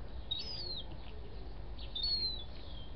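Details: Gull chick, thirty days old, kept in a house: two thin, drawn-out whistled peeps gliding down in pitch, a second and a half apart, over a soft low hum.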